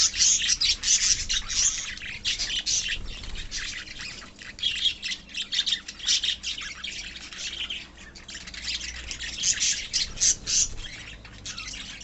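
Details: Many budgerigars in a colony kept as pets squawk and chirp together in fast, irregular bursts of high, scratchy notes, with a short quieter stretch midway.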